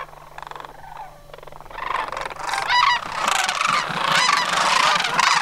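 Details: Sandhill cranes of a Homer flock gathering for autumn migration in September 2009. Quiet at first, then many rolling, rattling bugles overlap and build into a loud chorus of trilled calls.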